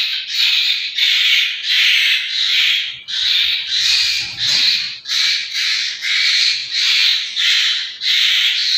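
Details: Young Asian koels calling: a series of harsh, broad rasping screeches, each lasting under a second, repeated about every 0.7 seconds in a steady rhythm.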